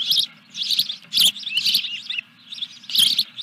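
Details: Ospreys calling at their nest at Dunrovin Ranch as a fish is delivered, 14 July 2021: short flurries of sharp, high chirps with a brief lull before a final burst.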